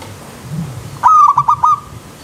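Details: One zebra dove song phrase, recorded with river-stream sound for training elite birds: a sharp opening note, then four quick, ringing coos ending in a short held tail, over soft low background noise.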